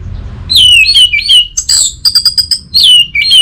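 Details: Varied, rich whistling from an orange-headed thrush played as a lure to make a silent bird sing: sweeping slurred notes, a buzzy burst, then a rapid stuttering trill and more swooping whistles.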